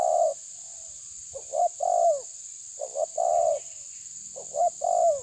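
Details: Challenging coos of a spotted dove pressing an opponent: repeated phrases of a double stuttered note and a drawn, falling coo, roughly every one and a half seconds, with a steady shrill hiss throughout.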